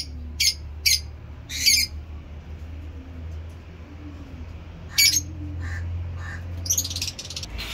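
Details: A few sharp, high chirps from caged lovebirds kept for breeding, three early, one midway, and a cluster at the end, separated by long quiet stretches with low hum.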